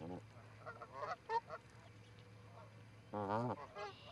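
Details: Two Canada geese at a Charlo, Montana osprey nest, 7 April 2018, captured by a live camera: soft scattered calls early, then one strong drawn-out wavering honk near the end.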